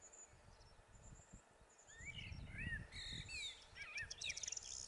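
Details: A corn bunting sings in the midlands of Gran Canaria in May 2020: a few ticking notes, then a dry, glassy jangle that speeds up, like a bunch of keys shaken. Low wind rumble runs underneath.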